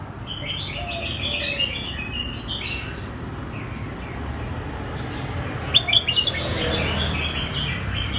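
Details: Red-whiskered bulbul song in the Phet and Prachathipat styles: soft, distant warbled phrases early on, then a brief loud cluster of sharp whistled notes near the end, over a constant low hum.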